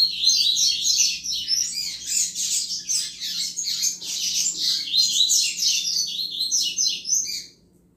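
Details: Double-collared seedeater singing the chuva song style, used to stimulate other males: a rapid, continuous stream of high twittering and warbled notes, densely packed without pause, ending abruptly after about seven seconds.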